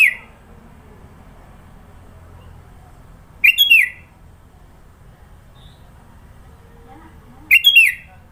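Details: Varied song of a sooty-headed bulbul in Sidoarjo, East Java. Short bubbly whistled phrases come about every four seconds, with quiet gaps between them.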